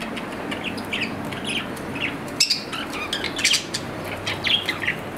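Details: Pet budgerigar, an Australian parrot kept in captivity, giving scattered short chirps and squeaky notes at irregular intervals over a low steady background hum.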